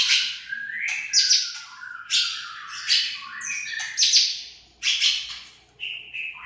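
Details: White-rumped shama from Aceh delivering vigorous song, harsh scratchy bursts alternating with clear whistled notes, about one loud phrase each second, faint low rumble behind.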